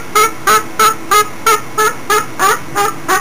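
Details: A pet cockatoo singing on 20 June 2009 gives a fast run of about ten harsh, harmonic notes, roughly three per second, evenly spaced and steady in pitch.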